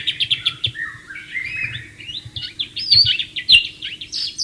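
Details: In the wild near flowing water, a white-rumped shama gives quick repeated whistled notes, then varied slurred and buzzy phrases with bright high accents, against low water rumble.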